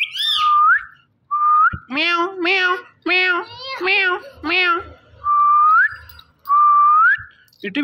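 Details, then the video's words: Indian ringneck parakeet talking, saying "Mitthu": rising whistled notes open and close a run of four rapid, nasal, voice-like syllables, each wavering in pitch, with brief pauses between phrases indoors. "Talking Parrot Saying Mitthu Mitthu"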